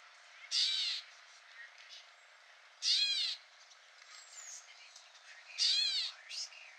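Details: At Newman Lake, Washington, USA, a wild Gray Catbird gives three rasping, cat-like mews, each about half a second long, spaced roughly two and a half seconds apart, with softer notes between them.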